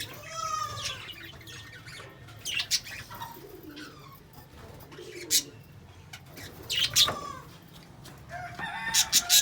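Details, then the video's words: Scattered lovebird chirps and squeaks, some clipped and piercing, others arched and squeaky, arriving in irregular bursts with quieter gaps and a low background hum. "LOVE BIRDS SOUND Relaxation|Bird Chirping sound"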